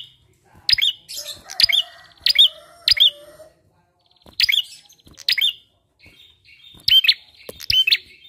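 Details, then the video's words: Bar-winged prinia in full, lively song, used as a lure to prompt other birds to sing: loud, sharp hooked chirps in quick pairs and bursts, separated by short pauses, with a faint low whistle in the background. "PANCINGAN PRENJAK KLAWU GACOR!"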